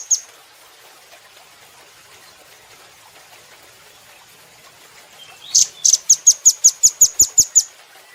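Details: Velvet-fronted nuthatch from a cage-bird training recording: a lone chip, a long quiet gap, then a steady burst of about thirteen high, thin chip notes repeated quickly.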